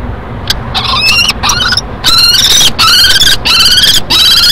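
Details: Common kestrel at a nest in Brest, broadcast from a nest camera between 2017 and 2019. A rapid run of harsh, squealing calls with bright stacked overtones, some drawn out. About seven cries in under five seconds over steady background hiss.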